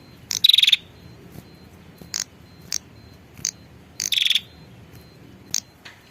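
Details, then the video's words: Prinia female calling for a male: two rapid buzzy trills, each under half a second, with several short high ticking notes scattered between them in a quiet background. "suara pikat burung prenjak betina memanggil jantan"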